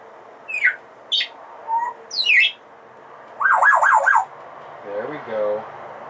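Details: Indoor female Congo African grey parrot kept as a pet, which talks, sings and beeps: a run of short descending chirps and a low whistle, then a rapid wavering warble, and finally a softer, lower, wobbling note.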